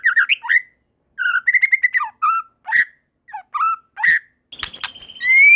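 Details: White-rumped shama (murai batu) giving short separated whistled phrases and chirps, ending with a loud rising whistle over a brief noisy burst; other shamas join in singing.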